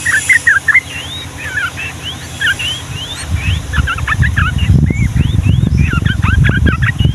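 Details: Yellow-vented bulbul giving lively, long ropel song in the Ngombak Banyu style: short gurgling chattered phrases mixed with upslurred whistles, while a loud low rumbling noise builds over the second half.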